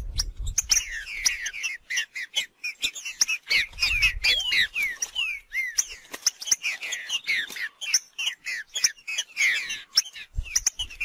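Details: A Green-winged Saltator singing in the wild gives busy runs of clear, slurred whistles and chirps, with other bird notes mixed in and frequent sharp clicks and taps.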